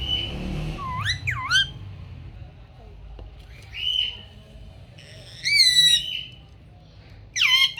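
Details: Talking ringneck parrot uttering a few separated phrases of looping, speech-like notes, with long quiet gaps and a low steady rumble throughout.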